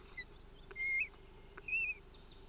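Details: Osprey pair scuffling at a nest, 25 June 2018, live nest camera: two drawn-out whistled notes with a slightly wavering pitch follow a brief chirp, over a steady background hum.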